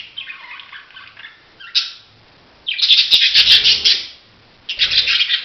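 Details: Budgerigar giving dense, scratchy chatter in long bursts with brief pauses between them, harsh squawky notes mixed with quick chirps.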